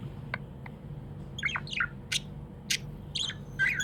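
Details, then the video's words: Pet budgerigar chirping happily: a few faint ticks, then quick falling chirps and sharp bright clicks in fast succession over a low steady hum. "Happy budgie chirping sounds"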